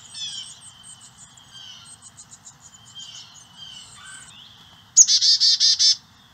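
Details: Carolina chickadees feeding their nestlings insect eggs and larvae in St. Cloud, Osceola County, on a property landscaped with over 70% native plants. Faint high chirps and insect-like trills, then a loud burst of six rapid, harsh repeated notes near the end.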